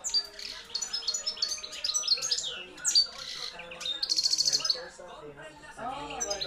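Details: Caged European goldfinch, a hand-reared field-type junior male bred in 2013, singing loudly: rapid high twittering phrases with tinkling trills and a buzzy rattle, with other birds faintly audible.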